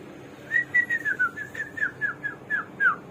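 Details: Hwamei, known locally as samyong or garuwa and called a bird of 1001 voices, sings a run of about ten clear whistled notes, mostly slurred downward, spaced roughly every quarter second at steady volume, indoors with faint background hum.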